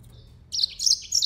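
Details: Yellow-fronted canary: a brief, very high burst of tinkling, buzzy notes in two quick clusters, loud and close, with a quiet background.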